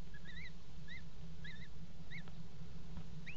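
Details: Common kestrel at a nest box in a water tower at Axel, 5 February 2018, with mating on the box edge: a clear series of short, arched, slurred whistled notes, about two per second, over a steady low hum.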